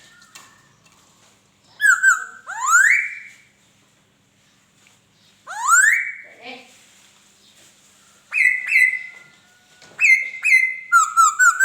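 A laughingthrush sings loud, rich whistled phrases, some sharply rising and others level, delivered in bursts a few seconds apart, with quick chirps in between.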